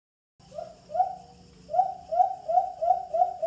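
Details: White-eared brown dove (alimokon) call played through a Bluetooth speaker for hunting: two hollow cooing hoots, a short pause, then six more coos in a quick, even run, with faint steady hiss behind.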